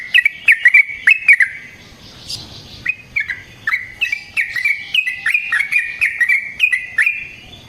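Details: Yellow-vented bulbul fighting song, a long lure and training recording: rapid bursts of bright, bubbling whistled notes with sharp clicks, repeated in quick phrases, with a short break of rough noise near the middle.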